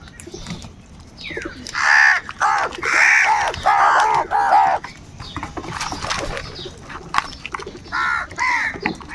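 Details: Crows fighting for food give loud, angry, harsh caws in a rapid run of about six, each nasal and hoarse, then fainter calls and scattered clicks follow.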